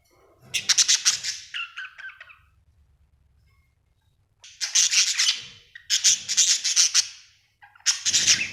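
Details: Happy pet budgerigar giving scratchy, rapid chirp bursts, a rasping series near the start, a pause, then three more clustered bursts of buzzy clicking chatter.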